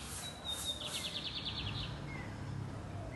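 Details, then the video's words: Loud, deep-voiced lined seedeater song: a thin high whistle leading straight into a quick rattling trill of roughly eight notes, then brief faint whistles, against steady low hum. "Bigodinho Sintonia cantando alto e grosso!"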